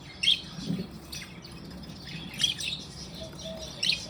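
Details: Budgerigars, happy and playing, uttering single sharp high chirps roughly every one to two seconds, with faint warbling between and a low background hiss.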